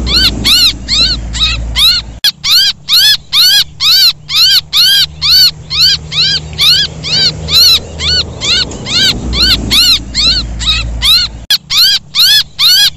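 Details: Chick distress calls used in Vietnam as a lure for small birds and coucals: loud rising-falling harmonic squawks about twice per second, with brief cuts at about two and eleven seconds and a low background hum.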